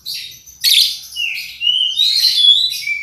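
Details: Lovebird song used as a lure to set other lovebirds singing: short bursts of shrill, scratchy chirps mixed with thin rising whistles, coming in uneven clusters.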